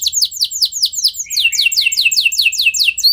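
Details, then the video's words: Canary rolling song used to excite other canaries to sing: a steady series of high downslurred notes, about five per second, dropping slightly lower partway through and continuing evenly. "Ampuh Buat Merangsang Emosi Burung Kenari Lain Biar Gacor Ikut Ngeroll Panjang"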